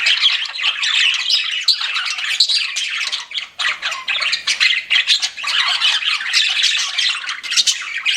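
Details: Continuous chatter of pet budgies: rapid buzzy chirps and rasping squawks, with a short lull and a few choppy pulses before the warble resumes.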